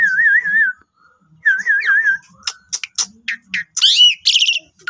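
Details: Asian pied starling song used as a lure to provoke other starlings into full singing: two warbling whistled phrases, then a quick jumble of sharp clicks, chirps and harsh, descending harmonic notes.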